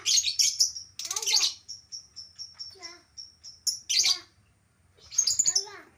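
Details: Albino lovebird: dense shrill chattering, then a series of thin, evenly spaced high ticking notes, with further loud screechy bursts near four and five seconds.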